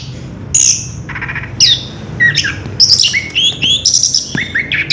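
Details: Orange-headed thrush song opening with scattered high whistles, then building into a rapid rolling run of slurred chirps and varied whistled notes, faint hum beneath.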